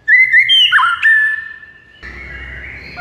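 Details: White-rumped shama song meant to rouse a silent bird into singing: loud, clear whistled phrases with sliding notes that jump between pitches, followed by a softer steady tone over a rising background hiss.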